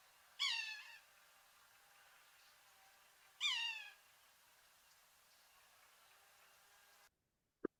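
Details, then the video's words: Whiny, catbird-like mewing call of a sapsucker from Washington: two nasal, harmonic-rich downslurred notes about three seconds apart, each trailing off softly, with a quiet background and a brief click at the end. "to me it kind of sounds whiny or kind of like a cat call sort of a little bit like a cat bird"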